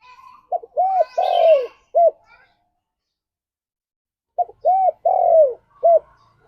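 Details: Spotted dove singing energetically, a recording meant to lure doves and stir pet doves into song: two cooing phrases, each a short note, an arched coo, a long falling coo and a clipped final note, about four seconds apart.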